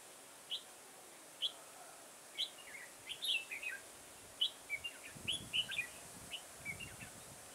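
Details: Garden trapping of red-whiskered bulbul on 9 October 2017: sharp single chirps at first, then a denser run of lively warbling notes, with soft low rustling thumps near the end.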